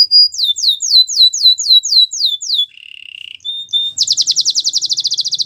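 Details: A Belgian canary sings a series of about ten loud downslurred whistles, a soft low buzzy trill, a short flat note, and then a very fast high rattling tour.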